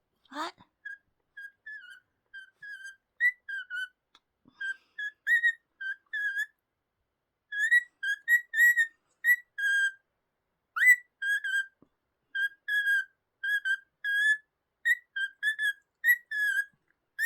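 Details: A pet cockatiel sings to its owner, a chain of clear, mid-pitched whistled notes, some rising and some wavering.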